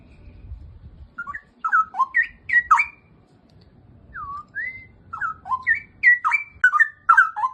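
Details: Straw-headed bulbul singing in bursts of rich, liquid whistled notes, warbling between low and high tones, a pause in the middle before a longer flourish; faint low rumble underneath.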